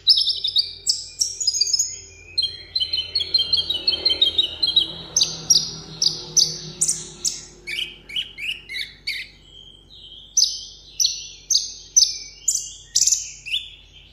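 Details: A 'hút mật 7 màu' sunbird in a cage gives a contest-style solo song. Bright, sharp chirps repeat about twice a second, mixed with short twittering runs and falling whistled slurs. The background is quiet.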